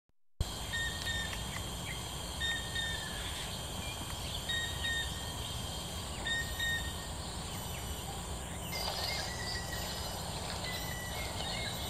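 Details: Chestnut-winged cuckoo (Clamator coromandus), call.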